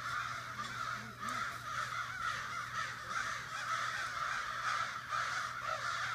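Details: In a Sudbury backyard one morning, a crowd of neighborhood crows keeps up a raucous group meeting, with rough caws overlapping steadily from many birds, roughly two calls per second across the flock, with no other sounds standing out.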